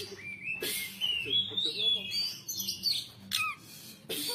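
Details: Caged white-rumped shama singing with 'pletik' calls: rising and falling whistled slurs run into a string of quick high notes, with sharp bursts near the start and end over a faint background hum.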